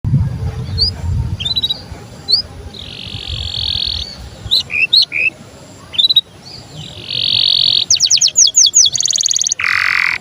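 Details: Canary singing starling-style phrases: scattered short rising notes, sustained flat buzzy tones, a fast rolled trill near the end and a lower harsh burst, with low rumbling background noise at the start.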